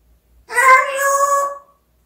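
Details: Talking African grey parrot gives a single drawn-out, tonal, speech-like utterance with strong harmonics, lasting about a second.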